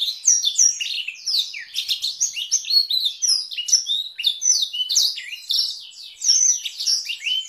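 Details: Kept canary with Blackthroat-style rolls, recorded as tutor song for other canaries and shamas; a dense, fast stream of high twittering notes, quick downslurred whistles and buzzy trills runs throughout.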